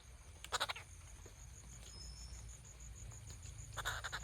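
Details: Rufous treepie (Dendrocitta vagabunda) gives two short bursts of harsh, rattling notes about three seconds apart, over a steady high insect drone and low background rumble.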